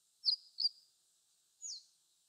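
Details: A Meadow Bunting, singing from atop pampas grass, gives three thin, high-pitched notes: two quick sharp chips close together, then a longer sliding note after a short pause.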